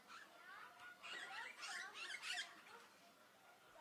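Eurasian golden oriole, mid-pitched fluty notes mixed with harsh, scratchy squeals, about four bursts in under four seconds over a faint background hiss.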